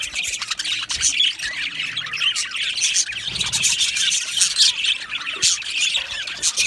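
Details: Aviary colony of budgies, dense rapid chirping and squawking from numerous birds, high scratchy notes overlapping without a break.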